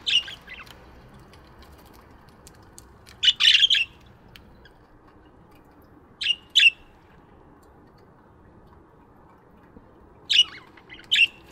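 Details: Aviary budgerigars in the morning giving sparse sharp chirps: a cluster around three seconds, a pair near six seconds and another pair at the end, separated by long quiet stretches.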